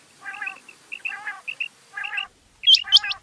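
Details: Rain quail (bedana, batair) giving short, buzzy, harmonic calls with small high pips between them, followed by louder, sharp, squeaky chirps at the end.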